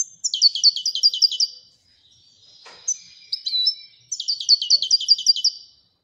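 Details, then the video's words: Widania-style song of a Moroccan European goldfinch: two quick, rhythmic tinkling trills separated by a short buzzy chirp and a soft click. "الحسون المراكشي لغة الويدانية"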